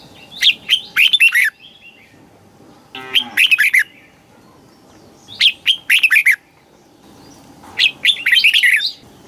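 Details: Red-whiskered bulbul song in the southern Thai style, played to excite caged birds or teach young birds: short bursts of rich, bubbling whistled phrases about every two and a half seconds, with a faint steady hum underneath.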